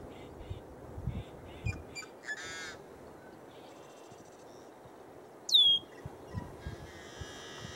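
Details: A male Yellow-headed blackbird perched on cattails in southwestern Montana gives harsh, buzzy rasps and one loud, sharply descending screech, with fainter chips from other birds and a low wind rumble.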